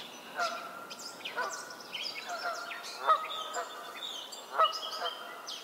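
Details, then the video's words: Canada geese in a spring swamp in Maynard, Massachusetts, on May 2 or 7, 2024, give short nasal honks at irregular intervals, several overlapping, with higher chirps and twitters from small birds in the background. "Canada geese"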